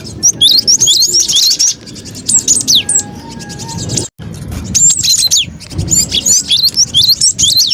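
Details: Cinereous tit, noisy lure call for catching birds: rapid high chirps and curling whistles in bursts, over busy ticking trills, with a sudden brief silent break midway before the chattering resumes.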